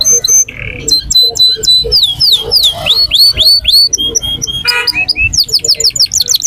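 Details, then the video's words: Canary at the Quetta Sunday Bird Market in full song: continuous varied phrases of rapid trills, rising and falling whistled slurs, buzzy bursts and quick repeated notes throughout. "Singing canary at the Quetta Sunday Bird Market/full start canary"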